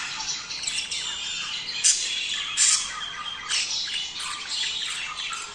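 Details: Budgerigar breeding-stimulation chatter: an unbroken wash of high, harsh chirps, with two sharp squawks standing out just before two and near two and a half seconds.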